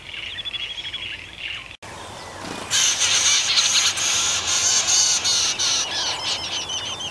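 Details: Striated pardalote pair nesting in a stone wall under a shed, later feeding two young. Faint high thin notes come first, then a loud, harsh, hissing high-pitched chatter with short repeated notes that keeps going for about three seconds.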